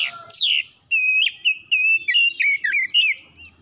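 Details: Oriental magpie-robin lure song meant to provoke other birds into singing: loud, clear whistled phrases, a rising sweep, then a run of sustained whistles broken by short twisting notes and quick slurred trills.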